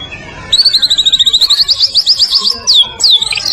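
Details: Song of a Medan-type white-rumped shama, recorded as a tutor for other birds: a quick, steady trill of bright high notes rising slightly, then loud looping whistled swoops.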